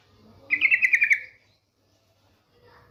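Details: Female yellow-vented bulbul calling the male: one short burst of rapid, pulsed chattering notes, slightly descending, followed by quiet and the start of another note at the end.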